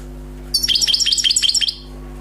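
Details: Fast jingling phrase of high, clear twitters from a newly trapped wild European goldfinch, around a dozen notes packed into just over a second, with a low steady hum beneath.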